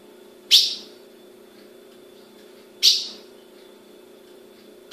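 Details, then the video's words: Calling female ultramarine grosbeak from Brazilian captive breeding: short, bright chip notes repeated roughly every two and a half seconds, with a faint steady hum beneath. "Fêmea de azulão piando"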